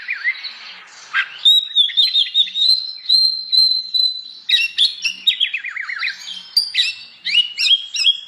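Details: Oriental magpie-robin singing in the morning, provoking other magpie-robins to sing along; a long steady high whistle, followed by quick descending zigzag trills and bright chirping notes.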